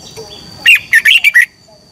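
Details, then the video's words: Red-whiskered bulbul's morning competition song, meant to spur other birds into singing: one quick phrase of five bright, warbled whistles under a second long, with a thin constant high hum behind. "Luyện chào mào hót sáng - chào mào hót đấu"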